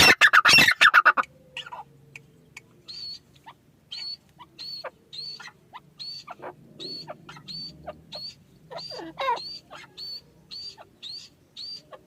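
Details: Grey francolin, known locally as teetar, calling: a loud harsh burst at the start, then a long series of short, high, repeated clipped notes about twice a second, with scattered lower chirps and faint background hum.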